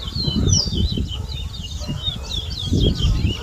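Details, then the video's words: Towa towa (large-billed seedfinch) singing in a bird whistling competition at a bird ground in Berbice, Guyana, 2022: quick high chirping, warbled phrases repeated rapidly, over loud low crowd murmur and voices. "TOWA TOWA BIRD WHISTLING COMPETITION IN BERBICE"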